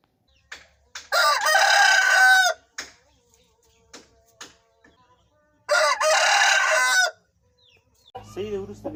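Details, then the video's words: Aseel rooster crowing twice, each crow a loud, rough call of about one and a half seconds, with quiet gaps between and a different rooster sound at the end. "Aseel Roosters Crowing"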